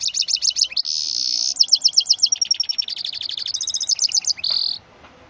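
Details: Song of a mule hybrid from a male goldfinch crossed with a female canary: a continuous, varied outpouring of fast high chattering trills broken by sustained buzzy notes, ending on a short buzz.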